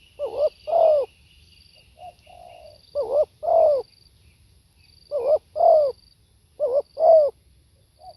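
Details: Spotted dove cooing: three phrases, each a soft low note followed by a doubled, rising-falling coo and a longer, louder drawn-out coo, repeated about every two seconds.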